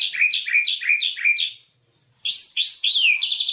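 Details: Lure song of a white-rumped shama, meant to prompt a quiet bird into singing: five quick repeated two-part chirps, a short silence, then loud rising and falling whistled phrases ending in a fast buzzy run.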